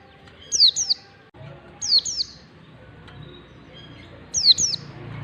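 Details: High, sharp downslurred whistles from an Oriental white-eye in long standard ngalas style, meant as a lure for young white-eyes learning to sing; three bursts of two notes each, spaced over a second apart, with faint background hum.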